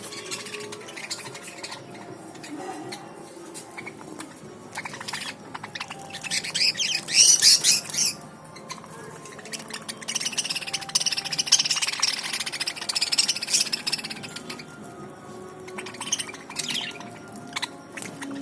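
A crowd of budgerigars chatters nonstop with rapid, scratchy chirps and warbles.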